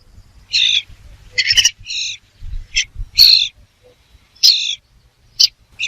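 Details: Irregular burst of rasping, high bird notes, some in quick pairs or triplets, with low thumps and faint background noise between them.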